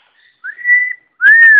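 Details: Female pet double yellow-headed amazon, a talking bird described as very happy, gives two loud clear whistles, the first long and level, the second rising then falling, with a person coaxing her nearby indoors.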